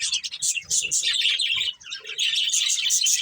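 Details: Dense, continuous budgerigar chatter from a breeding pair of colourful birds. Rapid high squeaks and scratchy warbled notes overlap almost without a break.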